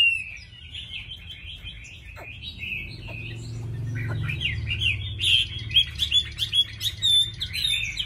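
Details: Tame caged Chinese hwamei, said to sing readily with a good voice: whistled phrases, a short lull with low rumbling noise, then a burst of bright, rapid, varied notes.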